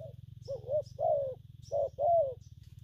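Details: Newly caught spotted dove cooing in gù phóng, gù kèm and gù lăn styles: a brief note, a rising-falling coo, a long falling coo, then a short note and another long descending coo, with a low hum behind.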